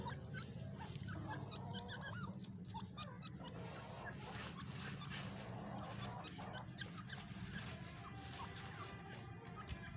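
Rapid, scratchy partridge clucks and chuckles run on and off throughout, over a steady low rumbling hum and general background noise.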